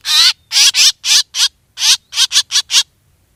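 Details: Lure recording of a black drongo calling: ten harsh, scratchy notes, some paired closely, delivered in two quick groups with a short gap between, on a silent background.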